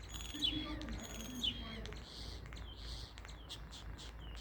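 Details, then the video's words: Common starling uttering squeaky whistled notes and wheezy, buzzy phrases, with scattered clicks toward the end. "Starling Bird Call | Common Starling Bird Sound"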